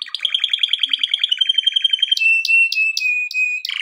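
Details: A male canary sings a training song. A rapid, rhythmic pulsed trill settles into a steady high whistle, broken by repeated sharp clicks and ending in a quick burst.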